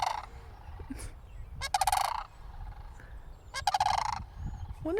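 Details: Cranes near a church calling while a person stands some distance away: loud guttural rattles repeated roughly every two seconds, rapid pulsed bursts, with rustling and low rumbling noise around them.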